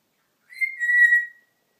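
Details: Pet African grey parrot, kept indoors, vocalizing freely: a single clear whistled note lasting under a second, holding a steady pitch and then sliding slightly downward before fading, with silence around it.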